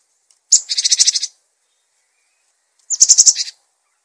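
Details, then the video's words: Cinereous tit singing for use in training other birds: two short phrases of about five rapid, buzzy, high notes each, separated by a two-second pause, in clean silence. "Gelatik Batu Gacor! Untuk masteran dan pancingan Burung"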